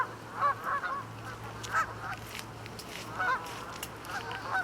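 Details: Canada geese in a large flock, mixed with ducks, resting at a pond on the way back north to their nesting grounds; scattered nasal honks rise and fall in short irregular bursts against steady low hum.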